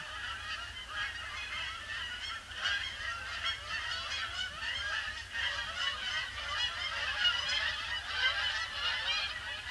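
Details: Huge influx of Canada geese circling a pond before landing on a grey Boxing Day; loud, close, continuous honking from a big flock, many calls overlapping in quick succession with little background noise.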